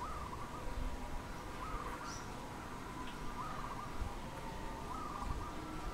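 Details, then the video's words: Dove calling in the wild in Cambodia on 1 May 2020: faint, quick trills of clipped cooing notes come every second or two over a steady background hiss. "សត្វលលក | Dove"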